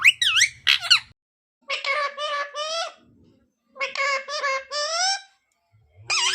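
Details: Pet parrot, a talking bird kept indoors, known for speaking "Radhe Radhe" and "Mithu Mithu" and singing bhajans; two sharp whistled sweeps, then bursts of rasping, voice-like syllables in rapid rhythmic groups, with pauses and a final whistle.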